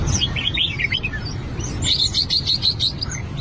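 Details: Albino red-whiskered bulbul practising its voice: a swooping run of liquid whistles, then a fast even series of about eight bright repeated notes over clicking, with a low background rumble.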